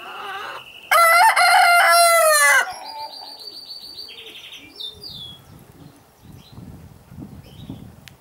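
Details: In Holland, a red-saddled Yokohama cock among his hens lets out a powerful, drawn-out crow of nearly two seconds, its tone holding steady before dropping; songbirds chirp brightly afterward.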